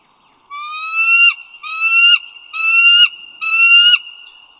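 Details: Northern Virginia bald eagle recorded along the Dulles Greenway on the morning of 16 April 2022: four long, harmonic, gently upslurred whistles, each ending in a short drop, spaced about a second apart.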